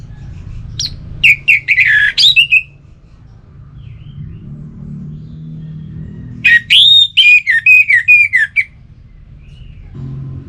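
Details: Cage-kept orange-headed thrush from North Bali, used to stimulate songbirds that have stopped singing: two bursts of varied, rapid whistled phrases with buzzy edges, separated by a pause with low room hum.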